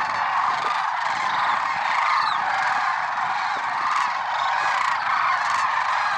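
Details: A large flock of Lesser Sandhill Cranes at Merced National Wildlife Refuge in the early morning of 6 February 2023, calling all at once in a dense, unbroken chorus of rolling, trumpeting notes.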